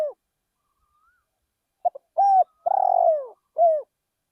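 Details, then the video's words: Calling decoy spotted dove in a rice field. After a quiet start comes one complete phrase: two tiny clipped notes, a firm coo, a long rattling purr falling in pitch, and a short closing coo. "นกเขาใหญ่เสียงเพราะๆ ต่อนกเขาใหญ่ ที่ทุ่งนา"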